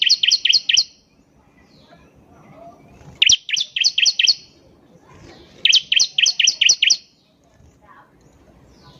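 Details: Bar-winged prinia (ciblek) singing actively, recorded as a lure to coax untrained birds into song: three bursts of about six sharp, high, rapid chirps, each burst under a second, separated by quiet pauses with faint background hiss.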